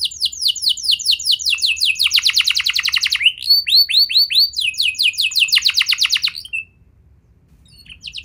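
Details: Lure song for young canaries: rapid slurred whistle series, dense rolling trills and a short run of clear rising notes, stopping into near silence with a faint final chirp.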